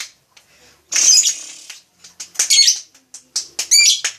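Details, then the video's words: Lovebird giving short bursts of harsh, squeaky, high-pitched chirps, the loudest bursts near the middle and end, separated by brief silent gaps, with a few faint clicks between them. "Suara burung lovebrid"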